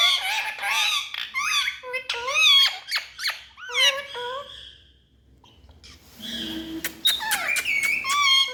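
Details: Talking parrots indoors utter a rapid series of squeaky, word-like syllables, go quiet for about a second, then resume with sharp clicks and a sustained whistled tone.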